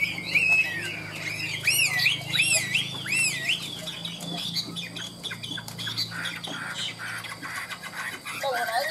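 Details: Hwamei hung out in its cage, singing its ngũ trường song high and hard: loud looping whistled notes repeated several times, followed by softer scattered warbles and chatter.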